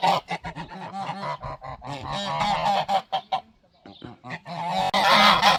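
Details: Several geese guarding their territory in a garden give a loud alarm: a rapid chorus of harsh, nasal honks repeated in quick bursts, dropping to a brief lull before resuming with a noisy, hissing edge.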